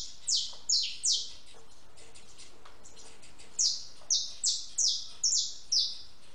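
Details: Feeding and drinking at a backyard feeder, a house sparrow utters bright falling cheeps, a few early then a run of five or six in quick succession, against constant low hiss.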